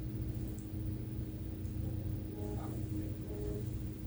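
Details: Quiet low hum with faint tonal traces, no animal voice heard.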